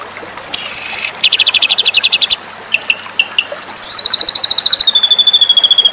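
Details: White-rumped shama from a song-contest training recording: a harsh buzzing burst, then rapid pulsed chatter and scattered notes, ending in a fast, clear trill that slowly drops in pitch.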